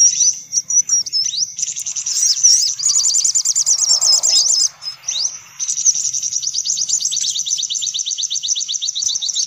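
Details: Sunbirds in a noisy lure recording used to attract sunbirds: dense, high-pitched chirps and rapid trilled series, overlapping and nearly continuous, with a brief lull near the middle.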